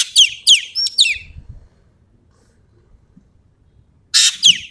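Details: Common green magpie from Sumatra, singing eagerly in a 'tembakan' style: three quick sharp descending whistled notes with a buzzy edge, a pause of nearly three seconds, then a renewed harsh burst of notes.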